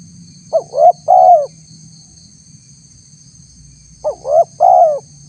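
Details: Spotted dove call used as a lure to provoke wild doves, with tags calling it a female inviting a male: two three-part phrases, a brief note, an upswept coo and a drawn-out descending coo, with constant high-pitched hiss and faint low rumble.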